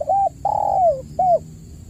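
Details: Spotted dove lure call for prompting silent caged doves: a short arched coo, a long mellow note sinking steadily in pitch, then another short arched coo, all clear over low background hum.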